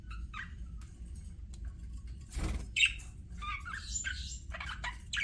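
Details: Pet budgies chirping softly and intermittently, short scattered tweets and a brief squeak, with a low steady background hum and a noisy thump midway.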